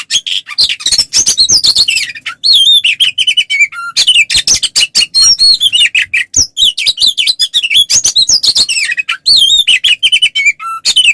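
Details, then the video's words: Oriental magpie-robin giving dense fighting song in the 'ngeplong' style, meant to provoke rival birds into replying: a nonstop rapid stream of chirps, rattles and bright whistles, with a few lower, purer whistled notes between. "SUARA BURUNG kacer gacor NGEPLONG TARUNG ini paling AMPUH buat PANCINGAN KACER agar EMOSI NYAUT"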